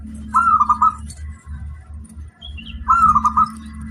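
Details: Song of a local wild zebra dove: two short trilled cooing phrases, each a bright opening note followed by quick bubbling notes, two seconds apart, over a low steady hum.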